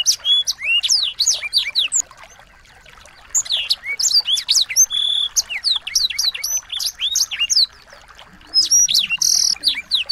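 Several small birds chatter and sing together in a dense stream of high, thin chirps, rapid twitters and short sweeping whistles, with brief pauses between the bursts.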